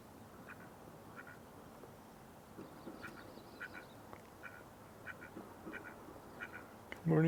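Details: A female and male Mallard, hungry, well-fed ducks at a marsh on a May 4 morning, give soft, nasal quacks in short bursts, roughly every half second, over a low rumble; a man speaks briefly at the end.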